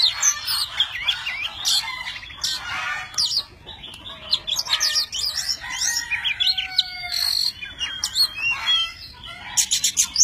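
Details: Tame Oriental magpie-robin in full song, spreading its wings and tail. Fast high upslurred whistles, sharp chips, and a few long level whistled notes mix in an energetic, many-voiced stream.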